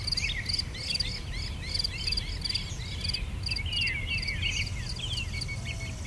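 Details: Wild birds singing in a garden in England, several quick downward-sweeping chirps overlapping, with dense rapid insect-like pulsing higher up and a low steady rumble beneath.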